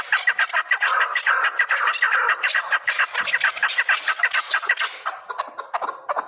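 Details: Chukar partridges of Kabodiyon giving rapid, loud chattering clucks, tightly repeated at just over two per second, thinning into separate sharp notes toward the end.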